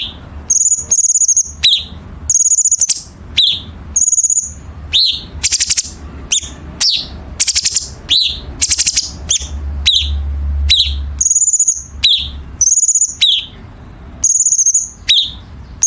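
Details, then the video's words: Masteran of a Chinese bulbul, meant to train competition songbirds: short high whistled phrases alternate with sharp downslurred notes and rattling bursts every second or so, tightly packed, with a low hum underneath. "Masteran Cucak Cungkok Istimewa ~Isian Kasaran Tajam Rapat"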